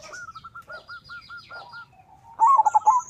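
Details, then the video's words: A local zebra dove, its voice meant to invite rivals: a soft string of evenly spaced hooting notes, then a loud final burst of rolling, stuttering coos; small birds chirp faintly high above. "Perkutut lokal gacor suara mengundang lawan Ampuh dijadikan pancingan perkutut lain 100% ikut gacor"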